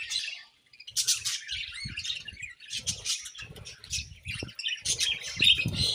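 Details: Budgerigars chirping during feeding, with loud rapid bursts of harsh chatter and squawky notes, plus frequent low clicks and knocks from seed husking or cage movement.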